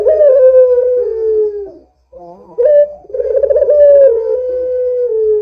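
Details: Loud Barbary dove coos meant to lure other doves into calling: a long, gently falling drawl, a short pause, then an accented note and another extended, trembling coo that fades slowly.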